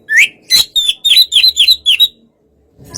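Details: Relaxed Oriental magpie-robin song used to draw a response from a less aggressive bird: a rising whistle, then a series of about seven evenly spaced, downslurred whistled notes, then silence.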